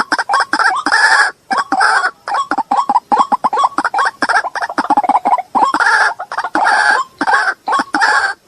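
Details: Mixed white-breasted waterhen calling from a lure recording: bursts of fast, upward-flicking clucks interspersed with longer harsh, nasal croaks, in an uneven, excited rhythm.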